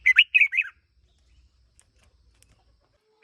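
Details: One-year-old red-whiskered bulbul decoy bird giving a single brisk phrase of warbled, chirping notes that rise and fall, followed by near silence.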